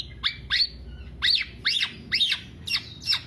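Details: Black-naped oriole (kepodang) singing 'teler' style as a lure or master recording; loud, arched, squawky notes repeated roughly every half second.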